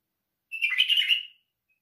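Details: A white-eared bulbul delivers one quick, rich warbled phrase of under a second, starting with a clear note and tumbling into a rapid jumble of liquid notes.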